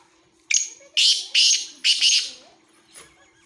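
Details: Harsh four-part call of a Black francolin, Khushab: an abrupt first note and three grating, buzzy notes in quick succession, then a faint trailing click.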